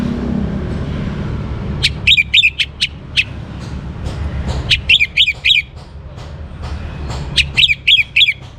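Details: Young orange-headed thrush used to prompt other birds to sing, giving three bursts of quick, sharp chirping notes separated by pauses, with low steady background noise.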